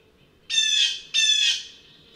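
A blue jay gives two harsh, raspy 'jeer' screams, each about half a second long and slightly falling, with a short pause between them.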